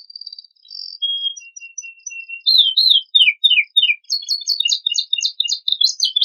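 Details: Canary with a richly filled song, used to provoke untrained birds into singing. Faint thin whistles and a flat tone lead to loud downward slurs roughly three per second, then a fast high chattering trill.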